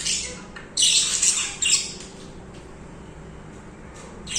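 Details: Budgerigars singing: a burst of harsh, scratchy, high chattering between about one and two seconds, then a long quieter stretch with only faint chirps and a short rasp at the end.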